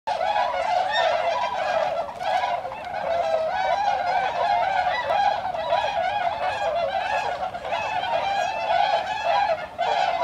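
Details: A flock of about 70 wintering tundra swans (Bewick's) on the Kiso River, Aichi, Japan, in winter 2014, calling without pause: mellow nasal hoots and soft bugling notes overlapping into a steady, busy chorus.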